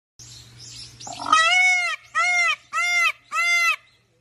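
A peacock gives four loud, nasal, wailing calls, each rising then falling, in quick succession after a moment of faint rustling.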